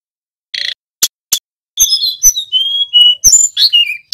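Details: Male mountain flowerpecker in full song, used as a training lure: a buzzy note and two sharp ticks, then a run of high, thin, slurred whistles that rise and fall, mostly level piping tones.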